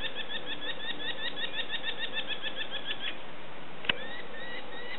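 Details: Young sparrowhawks calling hungrily at feeding time, giving rapid runs of thin, squealing upslurred notes, about four a second, that pause briefly then resume, set against constant hiss and a sharp knock.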